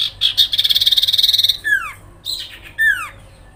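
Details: Sooty-headed bulbul giving a rattling call said to provoke other birds to respond: a few sharp notes lead into a fast, buzzy, high trill lasting about a second, then two clear whistled notes sliding steeply downward.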